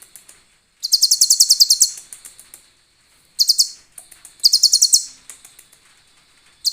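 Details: Sunbird song used as a training recording for other cage birds, in the cililin fill style: rapid, very high, clear trilled bursts of about a dozen sharp notes each, separated by short pauses, with no background noise.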